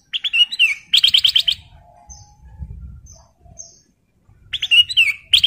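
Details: Breeding male sooty-headed bulbul singing energetically for a female: quick runs of bright chirpy notes and falling slurred whistles, a quiet gap with faint soft notes and low background rumble, then the phrase returns.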